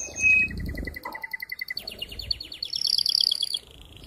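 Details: Male canary in strong, agitated song to encourage mating: evenly spaced piping notes, then faster descending rolls and a high bright trill, over soft low background noise.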